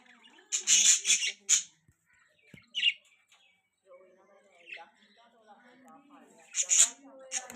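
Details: Budgies giving loud, sharp squawking chirps in quick clusters at the start and end, with softer, lower chattering warbles and scattered chirps between them.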